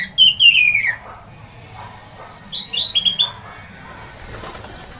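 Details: Orange-headed thrush with a loud, provoking song: two short bursts of bright whistled notes, the first a falling series and the second a high warble, with quiet gaps between.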